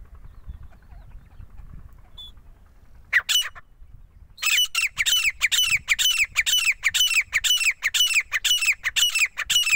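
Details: Grey francolin, locally called teeter, in Punjab. A short harsh burst near the start, then loud, squawky, rhythmic call notes repeated about twice a second through the second half, over a faint low rumble.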